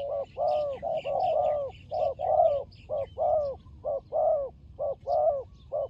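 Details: Fighting turtle dove producing a busy series of low, rounded coos of mixed short and long lengths, about one per second, with faint higher twittering from other birds in the background.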